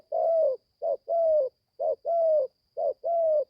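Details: A young spotted dove on its first training trip to the forest, just starting to call, gives steady low coos: a brief note followed by a drawn-out humming one, each pair roughly a second apart, faint high whine throughout.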